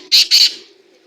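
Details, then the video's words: Black francolin giving two short, harsh, grating notes in quick succession, the second slightly longer, then fading into quiet with a faint low hum underneath. "کالا تیتر کو بولانے والی آوازیں کالا تیتر کی مکس آوازیں"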